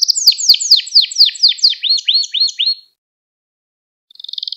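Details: Canary singing for an owner who uses the song to teach young canaries: quick falling sweeps give way to arched looping notes, then about a second of silence before a buzzy trill begins.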